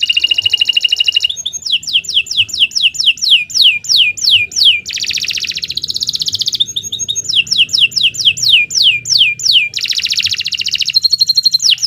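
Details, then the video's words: Long, full canary song used for song training: bursts of rapid descending swept notes alternating with dense buzzy trills, each phrase a few seconds long, steady and loud throughout. "Kicau Burung Kenari II GACOR PANJANG Cocok untuk Masteran"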